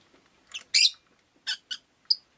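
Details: Rosy-faced lovebird chattering in a quick series of scratchy chirps of varying loudness, ending with a clearer, higher, thinner note.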